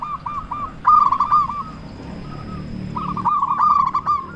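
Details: Zebra dove of local stock singing loudly to provoke other doves into replying: a trilling chain of short arched coos, a pause with a few soft notes, then another fast rolling run.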